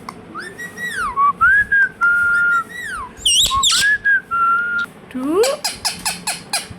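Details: Pet Indian ringneck parakeet, a talking bird: a run of clear whistled notes, some gliding up and down, then a rapid series of harsh, buzzy squawks repeated about four per second, in a small indoor room.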